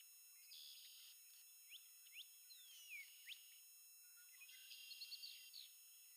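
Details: Blue-gray gnatcatcher preening and singing at Montrose Point, Chicago: thin, high wheezy buzzes open and close the phrase, with short sharp upslurred chips scattered between them over a faint steady high whine.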